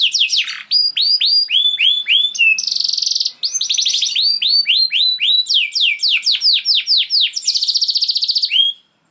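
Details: Canary song for prompting other canaries to respond with long singing: rapid chains of downward-sweeping whistles alternating with dense buzzy trills, varied phrases delivered almost without pause until an abrupt stop.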